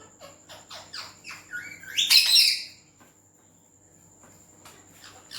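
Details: Green ringneck parakeet from India talking in Urdu or Hindi. Soft clicky syllables build into one loud, harsh, buzzy burst near the middle, followed by quiet, with a steady thin high tone throughout.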